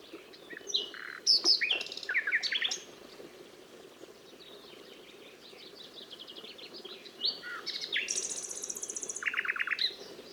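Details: Nightingale phrases: a cluster of sharp chirps and slurred whistles, a quieter stretch of soft notes, then a high buzzing trill followed by a lower rapid series of repeated notes, with a constant low hum.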